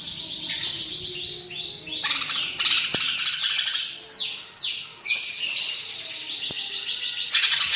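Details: Greater green leafbird in full song with mimicked phrases of other birds, pouring out continuous rich warbling with rapid twitters and a run of downward-sweeping whistled notes, steady and loud throughout.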